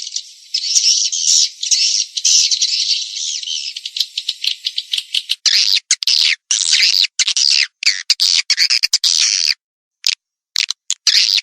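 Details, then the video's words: Swiftlet lure call played to attract swiftlets: dense, continuous chirping and twittering chatter, broken into choppy bursts with short silent gaps in the second half, with no other sounds. "suara panggil walet"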